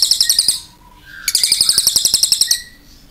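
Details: Cililin singing a long, clear song: bursts of very fast, high, rattling trilled notes, a short break with a thin whistle, then another sustained rapid trill lasting over a second.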